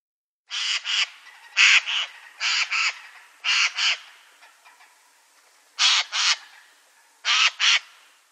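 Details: Eurasian jay in the Wittlich valley, Germany, 2018, giving harsh, rasping screeches, mostly in quick doubled bursts, six pairs in about seven seconds, with faint background rustle between them.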